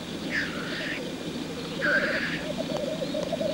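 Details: Black grouse male in lek display: two sharp hissing sneezes about a second and a half apart, with a low bubbling rookooing chorus running underneath.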